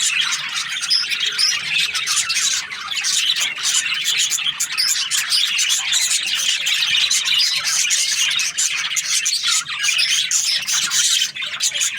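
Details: Overlapping budgie chirps and raspy warbles pour out without a break, a busy, shrill chorus of many small parrots.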